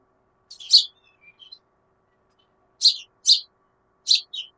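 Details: A house sparrow visiting a backyard gives a chirp with soft trailing notes, a long pause, then three more emphatic chirps in quick succession.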